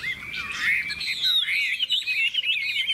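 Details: Hwamei in contest singing (hót đấu), a bright golden-plumaged bird with a big tail that flicks its wings; loud, rich whistled phrases sliding up and down, with a long rising-falling warble, then rapid rippling notes.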